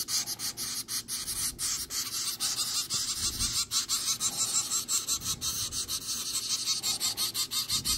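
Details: Baby zebra finches on their ninth day, kept in a homemade cardboard brooder and being hand-fed: a constant harsh, hissing begging chorus pulsing several times a second, with faint handling sounds.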